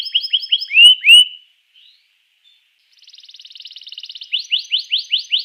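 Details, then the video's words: Canary song used to stir other canaries into singing: a run of rising whistled upslurs, then two loud sweeping notes, a short pause, a fast buzzy rattle-like trill, and a final series of rising chirps. "suara kenari ini 99% jitu sekali membuat kenari lawan gacor"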